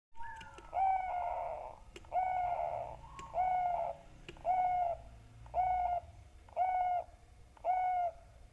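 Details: Zebra dove used as a lure to make other doves sing: a series of seven clear, bubbling coos, each about half a second long, spaced roughly one second apart, steady in pitch.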